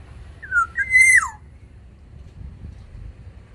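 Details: Sumbawa black-naped oriole singing in an aviary: a single mellow whistled phrase, a brief dropping note then a sustained clear whistle sliding steeply down at the end, followed by quiet low background rumble.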